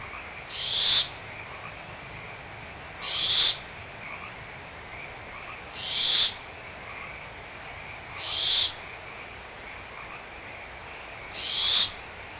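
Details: Barn owl owlets at Audubon Starr Ranch Sanctuary, April 2011, squabbling over leftover food with the mother nearby: five short rasping hisses repeated about every two and a half seconds, over a constant frog chorus.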